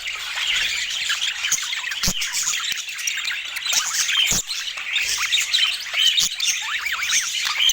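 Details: Budgerigars in lively chatter, with a steady stream of high twitters and short down-slurred chirps. Several sharp clicks or taps cut through the warbling.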